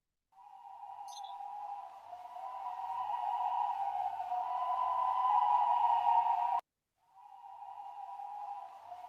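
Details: A steady, mid-pitched electronic tone swells slowly, cuts off abruptly, then resumes more quietly; no animal voice is present.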